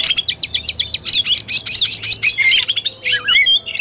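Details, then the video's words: Oriental magpie-robin in tarung (fighting) singing style, 17 August 2021; quick series of repeated high chirps, then varied rising and falling whistles toward the end, energetic and unbroken. "KACER TARUNG"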